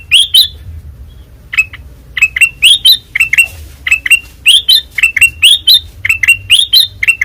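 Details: White-eyed kutilang emas singing actively, loud and open-voiced: rapid pairs of sharp chirps sweeping upward, bursting in quick clusters after an opening pause, with a steady low hum beneath.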